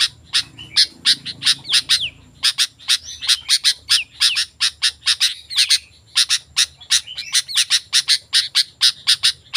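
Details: Sooty-headed bulbul calling, meant to draw wild bulbuls into answering: a fast, dense run of sharp high chips in bursts, mixed with brief slurred whistles, with a quiet low rumble behind.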